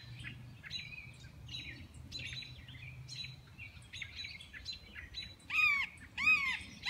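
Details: Red-shouldered hawk (Buteo lineatus) calling: two loud, arched, down-slurred screams near the end, after softer chattering from small birds, over a low background hum.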